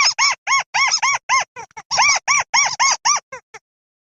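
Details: Lure sound for crakes: rapid series of squeaky, arched notes with strong overtones, about four each second, a few softer notes mixed in, then fading out into silence.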